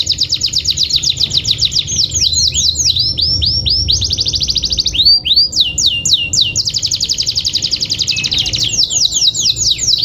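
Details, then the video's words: Pet canary song, played to provoke other canaries into singing: loud, fast, continuous rolling trills of high, clipped notes, switching between several repeated note types, with a faint low hum underneath. "pancingan kenari cepat gacor"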